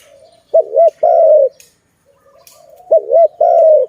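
Zebra dove giving two soft, mellow phrases, each a quick stuttering pair of notes followed by a long, level coo, about two seconds apart.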